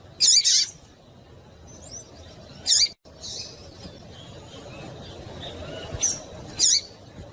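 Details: Double-collared seedeater female calling to stimulate a male: a slightly longer, buzzy high chip, then sparse sharp single chips a few seconds apart, with soft background noise.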